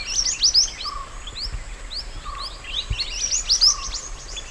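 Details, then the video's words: Wild mountain white-eye song meant to train other birds: two bursts of quick, high twittering chirps separated by quieter notes, with a lower flat whistle about once a second and a faint constant hum. "MASTERAN SPESIAL MANTENAN GUNUNG ASLI ALAM"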